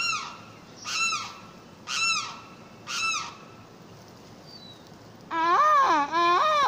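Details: Limpkin calling: four loud, harsh, descending wails, each about half a second long and spaced roughly one second apart. After a pause comes a longer, wavering, warbling cry. A steady faint tone hums in the background.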